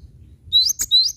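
Cinereous tit giving two high, thin whistled notes, each sliding upward, separated by a sharp click-like note; otherwise quiet.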